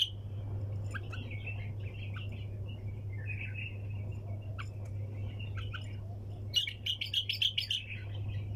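A bulbul gives scattered, bubbly chirps, then ends with a loud burst of quick, liquid notes, over a steady low electrical hum.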